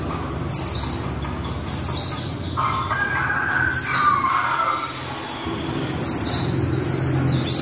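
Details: Female white-eye in the líu style, repeating thin, high downward-sliding notes roughly every second or so, with a lower buzzy warble in the middle and faint background noise.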